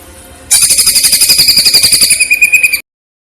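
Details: Masteran training song of a greater green leafbird (cucak ijo) in platuk versus cililin style: one fast, bright, rattling trill of evenly repeated pulses lasting about two seconds, cut off abruptly into silence.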